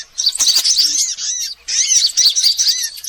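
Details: Sunbird lure calls meant to draw birds in: rapid, high-pitched chattering chirps in two bursts separated by a brief pause, with thin curved whistles threaded through.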